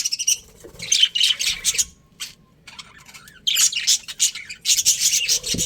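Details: Budgies from a colony with breeding pairs chirp in quick, scratchy clusters, falling quiet around the middle before another dense burst of overlapping squeaky notes resumes.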